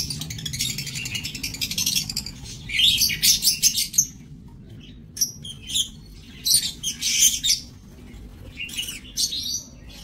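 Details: Lovebirds in an aviary, dated 7 June 2024: a rapid, buzzy high trill gives way to clusters of shrill, rasping squeaks and chatter separated by short pauses.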